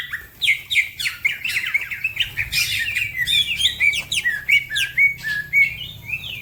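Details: Green leafbird (cucak ijo) singing as a tutor recording: continuous tumbling chirps and short looping whistles delivered rapidly, with brief twittering flourishes.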